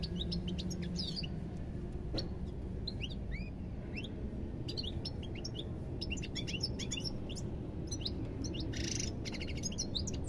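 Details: European goldfinch singing a lively twittering song of rapid chirps, slurred upward whistles and short trills high in pitch, with a brief buzzy burst near the end, over a steady low background hum.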